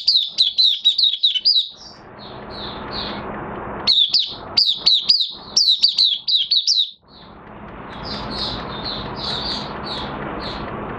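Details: A kept Oriental white-eye in minor moult, recorded 3 June 2022, sings rapid bursts of thin, high twittering notes in quick runs, pausing between phrases, over a steady background hiss.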